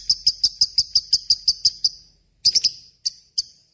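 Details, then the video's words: Lovebird singing ngekek panjang for training murai and kacer birds: a quick run of about eleven ringing, shrill notes at a steady pace, then a short pause and a few scattered harsh chirps. "SUARA BURUNG LOVEBRID GACOR NGEKEK PANJANG"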